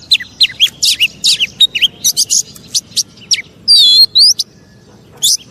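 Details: Oriental magpie-robin singing, a recording meant to provoke rival magpie-robins; fast run of sharp chips and scratchy notes, then a few clear rising whistles with pauses near the end.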